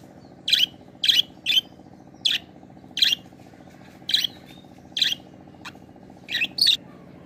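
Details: Budgerigars kept as pets, one giving sharp, high chirps spaced roughly every half second to a second, clean and repeated, with a constant low droning hum underneath.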